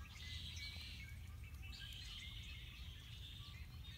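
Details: At Beddis Beach on Salt Spring in February, songbirds give a busy mix of thin whistles, short chirps and trills, several birds at once, over a continuous low rumble.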